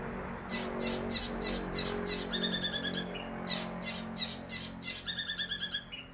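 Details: Long-tailed shrike, locally called cendet, singing a strong full song: rapid series of sharp high chirps repeated several times a second, with short whistled notes between bursts, over a steady low hum of background noise.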